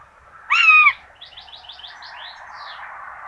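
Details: A common buzzard at a nest in Tiszalök, Hungary, 26 June 2022, where two chicks get rabbit for breakfast, gives one loud mewing cry, followed by a run of quick high rising chirps over soft hum.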